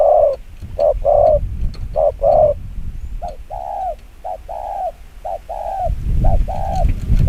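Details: Spotted dove cooing in the rapid 'chiêu gù kích bổi' style, mellow low notes in pairs and triplets, over a rumbling low background noise that grows near the end.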